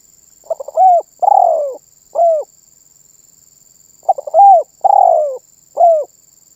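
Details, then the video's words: Spotted dove in vigorous song, giving two phrases about four seconds apart, each a stutter of short notes, an arched coo, a long falling coo and a crisp final coo; a faint continuous high tone underneath. "SUARA BURUNG TERKUKUR MANGGUNG GACOR MEMBUAT BURUNG LAIN IKUTAN BUNYI"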